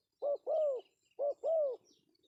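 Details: Male spotted dove of the pesom style, a call used as a lure: two cooing phrases, each a short clipped coo followed by a longer, arched, mellow coo, in a quiet setting.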